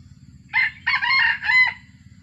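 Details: Captive F1 junglefowl, bred from wild junglefowl stock and kept in a collection, gives a loud, harsh crow in three clear bursts. The last burst ends in a drawn-out tone over quiet low background hum.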